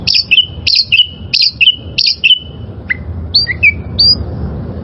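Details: Training song for caged birds from a wild oriental magpie-robin: one two-part phrase, a high whistle dropping to a lower level note, repeated four times about every 0.65 seconds, followed by softer varied whistles.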